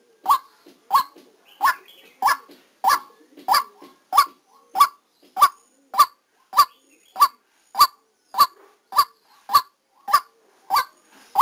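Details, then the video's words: During a trapping session, a decoy white-breasted waterhen keeps up a hoarse, honking call, roughly nineteen abrupt notes in eleven seconds at a steady pace, with faint softer rustling and murmurs between the notes. "Tiếng Quốc Mồi Ghi âm trực tiếp lúc đánh"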